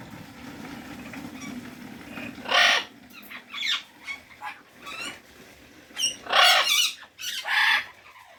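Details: Parrot calling over a steady low hiss: scattered harsh, raspy squawks and short chirps, with the loudest bursts clustered near the middle and the end.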